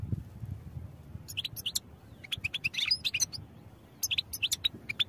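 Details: Goldfinch song for training: quick bursts of high, tinkling chirps and short twitters in clusters, separated by brief pauses, over low background rumble.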